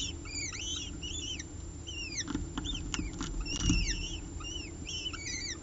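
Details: Peregrine falcon eyases, two young on a nest ledge, being fed 30 September 2018 as the mother tears small pieces from a bird brought by the male; high, arched, downslurred squeals repeat in quick bursts over low background rumble.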